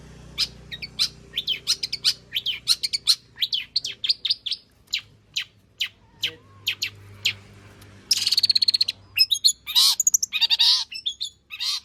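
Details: Long-tailed shrike in lively full song showing off its repertoire, played to coax other shrikes into singing: dense runs of sharp high notes, a short pause, then a burst of rapid rattling trills and squeaks.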